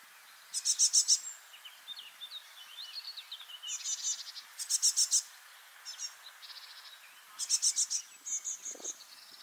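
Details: Young great tit, newly fledged, in a park in Anglet, France, in spring 2024, among four juveniles communicating continuously; high, buzzy rasping bursts of several notes alternate with softer thin twittering phrases, all high-pitched.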